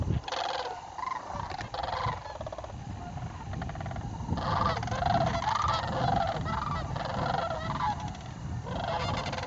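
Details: Many sandhill cranes gathering during fall migration in northern Indiana, October: rolling trumpet-like calls in overlapping bouts, with heavy low rumbling wind or handling noise throughout.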